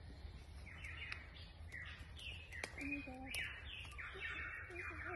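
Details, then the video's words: A wild lyrebird near Masons Falls, Kinglake, Victoria, Australia, on June 5, 2020, pours out a fast, varied stream of slurred whistles, sharp clicks and lower warbled notes, phrases changing every half second, over a steady low rumble. "Have you ever heard a Lyrebird?"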